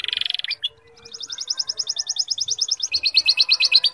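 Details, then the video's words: A canary singing with lovebird fill-in phrases. A dense buzzy burst opens, then a brief gap, then a steady rapid trill of chipping notes. The trill climbs to a higher, brighter roll for the final second. "Suara Burung Kenari Gacor isian Lovebird"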